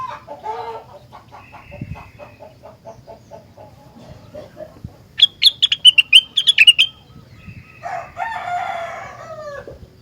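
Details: Rengganis singing hard, a song said to make others of its kind respond: quiet, low chattering notes lead into a burst of quick, loud, high repeated notes, then closes with a descending, laughing chatter.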